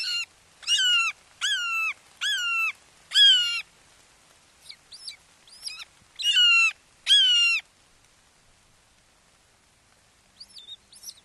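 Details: As the father brings a frog to a fledgling at a Wake Forest Red-shouldered hawk nest, 29 May 2023 at 08:38: loud, rich, downward-sliding screams repeated in a burst, a pause with softer notes, then two more screams.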